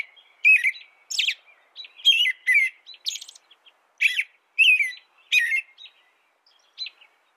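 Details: American robin singing: short, clear caroling phrases that slur downward, delivered in quick bursts about every half second, some with thin high squeaky notes, separated by brief silences.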